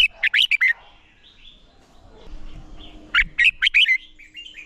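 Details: Competition-trained red-whiskered bulbul song: a fast phrase of four or five sharp, bright notes, a pause of over two seconds, then a similar lively phrase ending in a thin trailing whistle.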